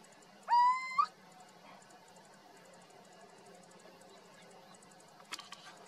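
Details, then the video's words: Little owl recorded in Zafra, Badajoz, Spain, giving one clear upward-sliding plaintive note lasting about half a second, followed by several seconds of low background hum and a brief faint rustle near the end. "Canto o reclamo del mochuelo europeo o común (Athene noctua)"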